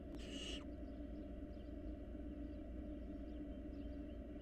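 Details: Wild barn owl nestlings at play in a monitored nest box. A single short, harsh, broadband hissing burst comes at the start, followed by quiet, with a steady low hum underneath.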